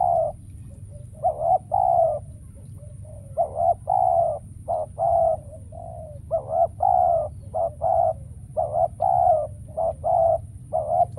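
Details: Decoy spotted dove calling in a trapping setup where wild doves are reported as rare: long run of deep, mellow coo notes grouped in twos and threes, irregularly spaced, over constant low-pitched noise.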